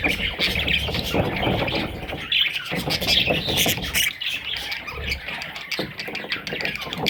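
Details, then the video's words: Parrot chicks produce a busy mix of high chirps and harsher squawks, irregular and often overlapping, against low background noise. "Parrot little babies"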